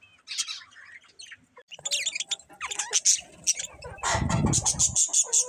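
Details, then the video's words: Budgies chirping with scattered scratchy twitters and short whistles, later joined by a low rumbling noise under continued high chatter. "Cute Colourful Budgies Chirping Sounds"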